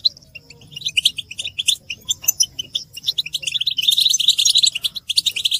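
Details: Goldfinches in a group chorus of mating and readiness calls used to stir silent males into singing; bright, quick twittering notes in bursts, building into a thicker overlapping stream of chirps toward the end.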